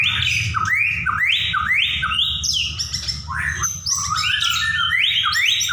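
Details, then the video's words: White-rumped shama singing in a rapid repeating pattern of upward-sweeping whistles about two per second, mixed with high tangled chatter, a continuous low hum in the background. "murai ngacor ll macet NYAUT ll murai juara"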